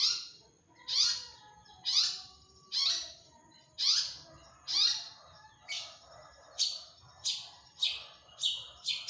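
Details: Long-tailed shrike singing energetically: harsh descending squawks roughly once a second, becoming quicker and shorter toward the end, with a low hum behind.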